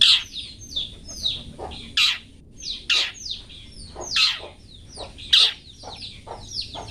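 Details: Long-tailed shrike song in the 'toet toet' style for cage-bird training: rapid, varied series of falling whistled chirps with strong harsh accents roughly every second, lively and continuous.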